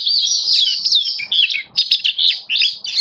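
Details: Oriental white-eye of the kitaro type, kept in a cage, delivering a rapid, high-pitched warbling song of looping whistles and quick chirps run together with only short breaks.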